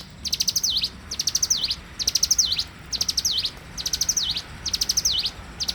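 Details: Bar-winged prinia singing actively in the morning: a loud, high phrase of rapid chipping notes ending in sharp downslurred whistles, repeated about once a second, over a faint low background hum.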